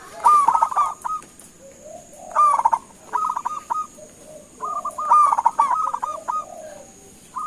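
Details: Local-strain zebra dove calling to draw answers from other doves: three bursts of rapid stuttering coos, each a fast run of clipped notes ending in short level hoots, with softer lower coos from a second dove in between.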